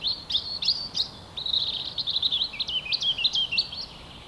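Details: European robin singing in spring: a quick, rambling run of thin, high whistled notes and twittering trills. Several short phrases rise and fall with little pause, and there is a soft hiss in the background.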